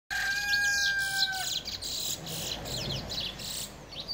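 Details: Brown bullfinch singing: one long, pure, steady whistle with clear overtones held for about a second and a half, then stopping, over a constant background of high, busy chirps and twitters from other small birds.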